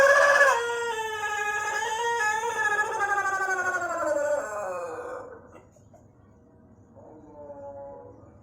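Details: Crowing Pelung rooster, whose voice lengthens and gains winding cengkok ornaments as it matures; a loud opening leads into a long, drawn-out harmonic crow of about five seconds that slides downward at the end, followed by a softer short call.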